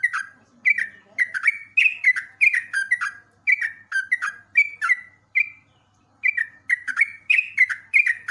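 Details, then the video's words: Sooty-headed bulbul song on cage-bird training audio: rhythmic downward-slurred whistles repeated in a long run, one silent break of about a second, then the same phrases continue. "FULL MASTERAN TRUCUK DURASI PANJANG"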